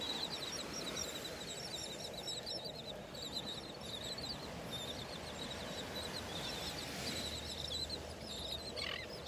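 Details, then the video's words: Many terns calling at once on a Gulf beach at Delnor-Wiggins Pass State Park, North Naples, Florida, on the morning of August 23, 2019: a dense chatter of short, harsh, high notes repeated rapidly over steady surf and wind. "Those are terns that you're hearing."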